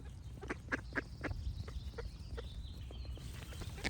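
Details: Ducks give a short run of harsh, nasal quacks in the first second and a half, then scattered calls, while thin high bird whistles sound behind and a steady low rumble runs throughout.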